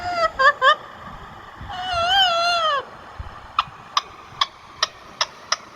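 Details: Indian ringneck parakeet giving three short harmonic notes, then a longer wavering, warbling cry, followed by a run of sharp clicks spaced roughly every half second.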